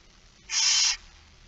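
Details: A single rasping, hissing screech of about half a second from a barn owl begging at feeding time, 06:57 on 13 September 2019, against a quiet background.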